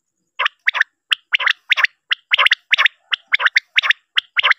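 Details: A male common quail, its call used as a lure for quail hunting and netting, calls in sharp, liquid notes grouped in twos and threes, repeated quickly and steadily with no other sounds.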